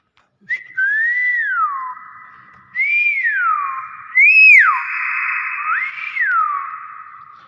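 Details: Talking common hill myna that greets guests with assalamualaikum gives sustained whistled notes with swooping rise-and-fall glides, three or four overlapping phrases in quick succession, no other sounds in the quiet room.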